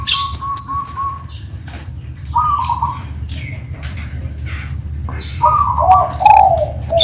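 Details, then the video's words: Tuban zebra dove with a 'kristal' song giving short trilled coos, amid busy high chirping and squeaks from other birds that often dominate the scene. "Suara Kristal,perkutut Tuban"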